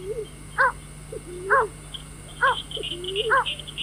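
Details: White-breasted waterhen calling, a recording used to lure birds for night trapping: four strong stacked-harmonic notes roughly every second, each followed by a soft rising lower note, over a steady electrical hum and faint high twittering.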